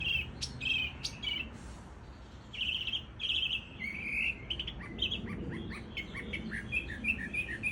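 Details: Cuban mockingbird singing: a varied run of quick chirps and short trills, phrases changing every second or so, over low background rumble.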